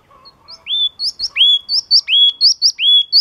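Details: Yellow-cheeked tit (Machlolophus spilonotus), song.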